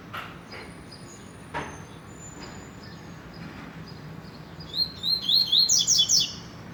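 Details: Several seconds of quiet with a few soft clicks and taps, then a rusty-collared seedeater launches into a loud, fast series of sharp high whistled notes.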